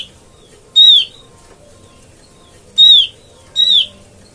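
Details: Call of an Oriental white-eye used to trap birds: a trailing note at the start, then three loud, buzzy, falling calls at irregular intervals in an otherwise quiet setting.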